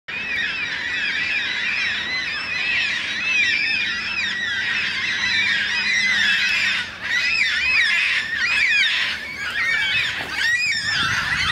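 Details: Huge flock of yellow-tailed black cockatoos calling together: a dense, unbroken chorus of overlapping wailing, arched calls rising and falling, with many birds heard at once throughout and a brief lull near the middle.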